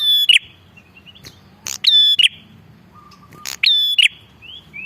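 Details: Bar-winged prinia giving energetic lure calls aimed at wild males and females. Three loud bursts, each a click, a high piercing whistle and a closing click, with quieter thin whistled notes between them over a low background hum.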